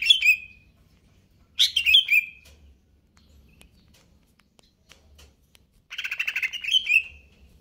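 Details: Greater green leafbird in kejer nembak song. Sharp whistled notes slide downward in short phrases, then after a quiet gap comes a rapid buzzy trill with a ringing whistle at its end.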